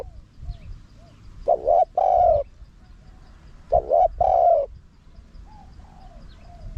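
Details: Spotted dove, wild-style calling with a small, high voice and 'khat', 'nun' and 'ku ang' phrases, used to lure wild doves in quickly: two mellow cooing phrases, each a short double note then a longer hooting coo, with faint soft notes between.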